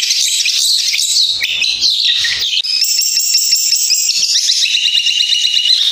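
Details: A Long-tailed shrike, a fighter-style singer with prominent, long-lasting song, pours out a fast, unbroken, high-pitched song of scratchy chatter, rapid trills and sharp whistled notes with no pauses.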